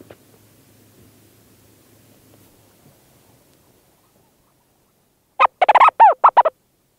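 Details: Leach's storm petrel in a burrow at St Lazar, close up: faint rustling movement sounds for several seconds, then a sudden quick run of about seven chattering, downward-arching harmonic notes near the end.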